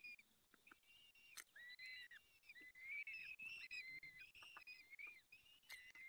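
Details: Peregrine falcon at the nest in the Barycz Valley, fifth feeding, 23 April 2020, 19:28: a busy run of overlapping whistled whines mixed with sharp clicks and tapping.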